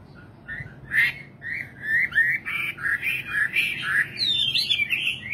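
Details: Singing nightingale giving a series of short, repeated whistled notes about twice a second, growing louder and more complex toward a tangled finish.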